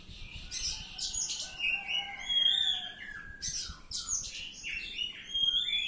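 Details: Oriental magpie-robin in ngeplong style, loud and continuous: high sweeping whistles, slurred downward notes and harsh rattling bursts woven into a rich, varied song.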